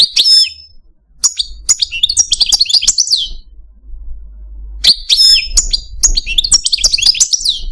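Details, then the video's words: Algerian parva goldfinch, a kept male songster, delivers bursts of rapid high twittering and liquid slurred notes, pausing between phrases, over a steady low hum. "Algerian Parva goldfinch, Chardonneret, Cardelino, Jilguero Stieglitz, Stillits"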